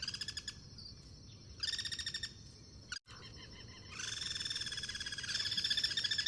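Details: Guira cuckoos cross-singing in the wild: repeated bursts of fast buzzy rattling, some short and some running over two seconds, overlapping as callers answer one another, with a continuous insect hum underneath.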